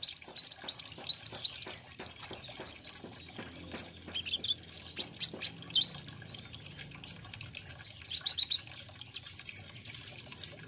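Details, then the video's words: Lively, sustained singing from an olive-backed sunbird (kolibri ninja): rapid strings of high, sweet rising notes, followed by sharp chips, stuttering trills and repeated looping whistles. "SUARANYA BURUNG KOLIBRI NINJA / KONIN"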